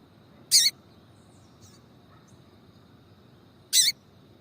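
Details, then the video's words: Female double-collared seedeater calling to stimulate a male, used by breeders preparing males for tui-tui song contests in Brazil: two short, very high, bright bursts about three seconds apart over low background hum. "FÊMEA DE COLEIRO CHAMANDO MUITO QUENTE FOGOSA E PIANDO"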